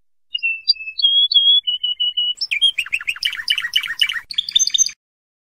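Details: Spanish Timbrado canary song played as training audio for canaries in 2014–2015: clear, level, whistled notes stepping between pitches, followed by a dense stretch of rapid, varied chattering syllables.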